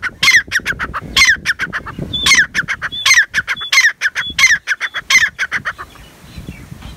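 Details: Black francolin, known locally as kala tetar, giving a fast series of rasping, scratchy notes with brief high whistles threaded through, the calling stopping after about five seconds and leaving faint background noise.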